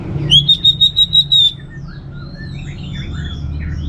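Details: Orange-headed thrush, a kept bird in northern Bali, sounding a clear sustained whistle broken into seven rapid even pulses, then quieter scattered twittering notes over a low hum.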